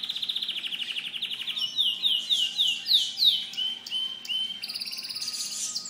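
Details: Canaries in a bird shop on 5 May 2011 sing in a bright, fast stream: rapid high trills, then a run of quick descending whistled notes and rolling phrases, with no other sounds.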